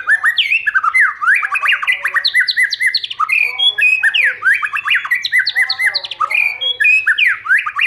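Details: Multi-voiced stimulating song of a white-rumped shama, meant for training birds to sing well. Rich, continuous cascade of bright whistles, rising and falling slurs and sharp chattering notes, loud and unbroken throughout.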